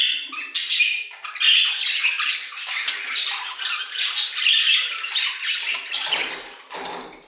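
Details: Aviary budgerigars warbling: bursts of squeaky chirps and buzzy chatter rising and falling in loudness, a few sharper high squeaks standing out over the group.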